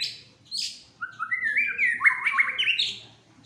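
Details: Agitated white-rumped shama, a fighter, delivers short high whistles, then climbing stepwise trills that rise in pitch and end in a bright upward flourish.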